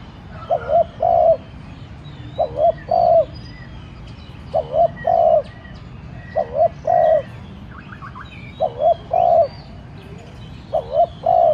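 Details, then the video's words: Decoy spotted dove urging wild doves to call back with a steady cooing sequence. Six phrases, each a short doubled coo and then a drawn-out mellow note, repeated roughly every two seconds. Soft high bird chirps are heard in the background. "cu gáy mồi cây thúc nhẹ kích cu bổi dễ gáy. tiếng cu đất gáy thúc"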